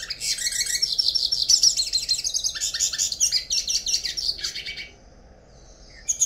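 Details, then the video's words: A Yellow-faced Siskin (Spinus yarrellii), a threatened finch, sings a fast, rambling stream of high, twittering and buzzy notes for about five seconds, then falls quiet. "Canto Passaro Pintassilgo"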